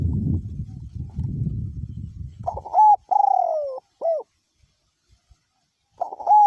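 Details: Spotted dove, a decoy bird with a small-to-middle-pitched voice, cooing in strong wind: heavy low wind rumble fills the first seconds, then loud clear whistled coo notes, a level hooked note, a long falling note and a short bent note, another coo at the end.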